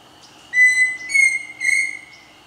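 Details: Pheasant cuckoo singing at Chapada dos Guimarães, Mato Grosso, Brazil: three clear, pure whistled notes in quick succession, level to slightly rising, the last one slightly wavering, over a faint background hum.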